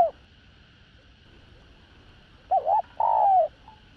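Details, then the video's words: Spotted dove, a decoy voice of the type called đồng rặc used to call, urge and coo wild doves in. After a brief coo cut off at the start and a long quiet gap, one phrase: a short wavering double note, then a long, smooth, falling coo. A faint steady hum runs beneath. "Cu Gáy ĐỒNG RẶC Giọng Hạp Bổi ĐỦ BÀI GỌI + THÚC + GÙ Kích Bổi Nhanh Nổi"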